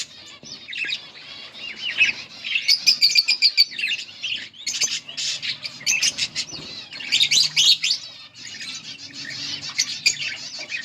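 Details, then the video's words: A yellow pair of pet budgerigars chirping: rapid, busy warbled chatter with scratchy rising and falling notes, bursts of sharp clicks and ticks, and short pauses between bouts. "Beautiful budgies parrot yellow pair 💛 budgies chirping sounds"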